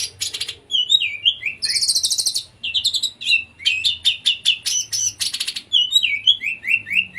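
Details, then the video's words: Konslet-style song of an Oriental magpie-robin, meant to prompt quiet or mute magpie-robins to sing; loud whistled slurs, descending swoops and harsh buzzy bursts, delivered in quick, uneven runs. "burung kacer konslet cocok untuk memancing kacer bahan atau bisu"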